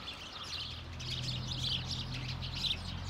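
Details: House sparrows in Hedbergska parken, Sundsvall, Sweden, on 26 November 2023, a large group uttering contact calls; busy chirping chatter above a steady low droning hum that grows slightly louder midway.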